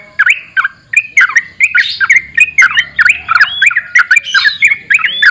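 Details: Sooty-headed bulbul singing briskly: repeated short, warbled whistles and slurred chirps in quick succession, a few louder upswept notes, with faint low background noise.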